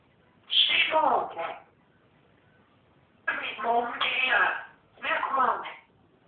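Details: Pet parrot known for swearing, mid-tantrum, producing three loud bursts of garbled human-like words with harsh, raspy tone and pauses between them.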